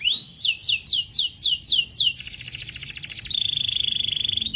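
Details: Canary song of seven loud swooping whistled notes at a regular pace, followed by a rapid buzzy trill and then a very fast, even, high rattle, with faint background noise.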